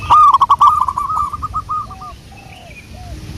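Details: Local wild zebra dove, song used as a lure: a quick, loud stuttering run of hooked coos that slows and fades over about two seconds, followed by a few soft lower coos.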